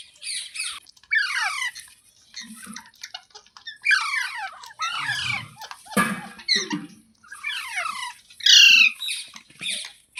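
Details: Green parrot, called mitthu or tota, keeps up a busy series of harsh squawks and chattering calls. They are dense, falling harmonic bursts at irregular intervals, mixed with occasional soft low thuds indoors.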